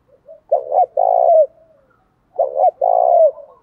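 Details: Spotted dove singing to goad other doves into a fight. Two loud phrases, each a quick doubled coo followed by a drawn-out purring coo that drops at the end, separated by a short silence.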